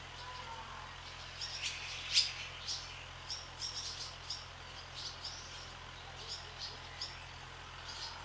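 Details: Barn swallows skimming across the sky above a swallow farm, calling in flight: many short, high chirps and twitters scattered irregularly, roughly two per second, some overlapping, over a steady low hum.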